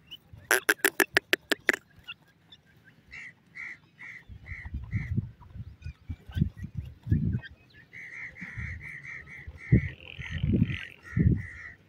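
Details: Captive francolin chicks being cared for: after a burst of sharp clicks, soft, evenly pitched peeps come in short runs, speeding into a quick string near the end over low rumbling handling noise.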